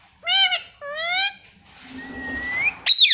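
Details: Talking Indian ringneck parrot at home repeating "mommy": two steady, reedy, voice-like syllables, then a quiet rising whistle ending in a shrill squawk.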